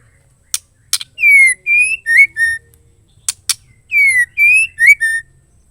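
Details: Female white-rumped shama call, said to rouse males to sing: a phrase of two sharp clicks, a long falling whistle, a level whistle and two quick rising notes, given twice in identical form.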